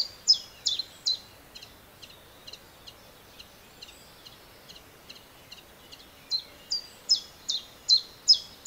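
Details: Common chiffchaff (Phylloscopus collybita) song recorded with a homemade parabolic microphone: a steady chiff-chaff of short, high notes, roughly two or three per second, louder at start and end, over faint hiss.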